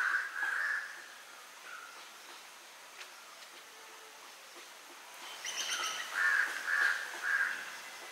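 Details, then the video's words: In a backyard in Sri Lanka, a Legge's hawk-eagle feeding on prey it caught gives short, strained, mid-pitched squealing notes in bursts at the start and near the end, with a thinner harmonic-rich note between, over faint hiss. "Legge's Hawk-Eagle Bird call"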